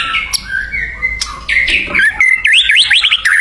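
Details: Singing white-rumped shama in the wild: soft muddled notes and a few sharp clicks at first, then a quick series of zigzagging whistled notes, about four per second, at the end.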